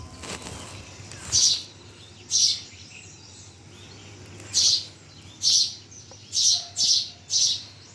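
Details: Birds chirping at Bhimtal, with seven sharp high-pitched chirps in eight seconds, some in quick pairs and others after longer pauses, and a faint rustle near the start.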